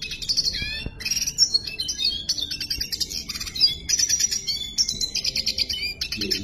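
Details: Red siskin singing persistently. A long stream of bright, high chattering alternates buzzy trills with quick whistled slurs and sharp tweets, with barely a pause between phrases.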